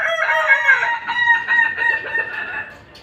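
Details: Kokok Balenggek rooster, put out in the sun, crowing in a long, wavering, multi-step tone that slowly fades amid background noise.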